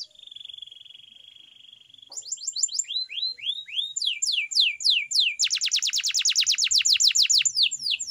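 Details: Canary training song beginning with a level rolling whistle, moving into evenly spaced swooping notes and ending with a loud fast rattle of descending strokes.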